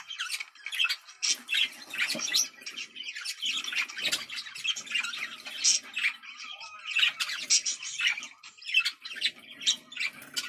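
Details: Budgerigar mating call for stimulating breeding: continuous busy warbling of quick squeaky chirps, clicks and short whistles in uneven bursts, with no pauses.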